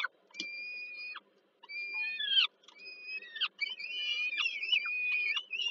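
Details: Peregrine falcon chicks fed by their mother at evening, Żerań power plant, Warsaw, Poland, 15 July 2022: thinner, steadier whistled wails, some with abrupt downward flicks, separated by clear gaps, quieter than nearby cries.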